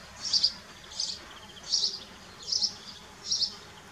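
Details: Kestrels in Dohr, 4 June 2015, the male arriving with a mouse while the young feed: five clear, piercing high screeches spaced about 0.7 seconds apart against soft background hiss.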